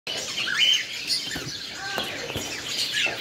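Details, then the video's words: Several cockatiels in an aviary chirping and whistling in short, bright notes, calling over one another in quick bursts against faint background hiss. "Australian parrots cockataiel are happy thair home sweet hom"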